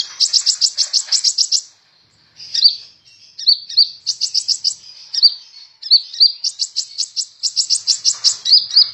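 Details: Sunbird called kolibri ninja in full song as tutor audio: long rapid high trills alternate with short downslurred twitters and clipped whistles, nearly nonstop with one brief pause.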